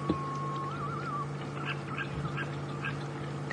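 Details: African green pigeons that have been drinking at a waterhole at dusk in late May give fluty, warbling whistles that wobble up and down, then short whistled notes, over a steady low engine hum.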